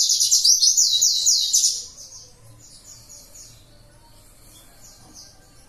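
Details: Warbling white-eye in 'tembakan' (shooting) song style: a loud, fast run of high twittering, slurred notes for about two seconds, then softer, scattered short bursts of the same trills fading against quiet background.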